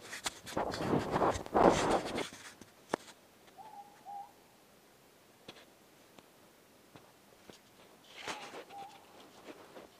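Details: Morepork, or ruru, calling outside at night not far away: one clear two-note hoot, the second note slightly higher, mid-clip, with a fainter repeat near the end; loud rustling and handling noise at the start.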